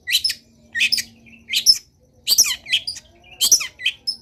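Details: Long-tailed shrike delivering lively full-fill song: loud scratchy bursts of high notes roughly every half second to second, mixed with thin whistled slurs, against a faint steady hum.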